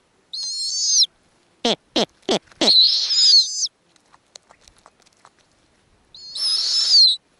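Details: Piercing whistled squeals open and close a sequence with four rapid downward-sweeping chirps in the middle, from a snowy owl nest with hatching owlets and a feeding female; faint ticking is heard between calls.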